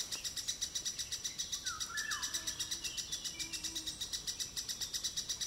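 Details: Lesser spotted woodpecker at Białowieża gives a steady run of thin, high, sharp notes, about four each second, with a brief lower whistle from another bird midway.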